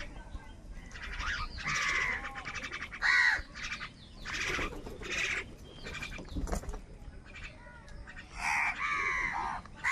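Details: Crows fighting with wild birds for food on a rainy morning: harsh, noisy caws in short bursts of about half a second, several overlapping callers, with rain-like hiss and other bird calls in between.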